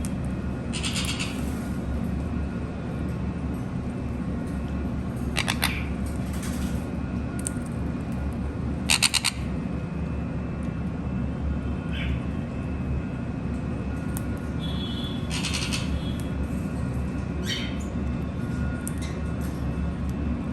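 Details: Conures playing give short, harsh, scratchy squawks at scattered intervals over a steady low indoor hum.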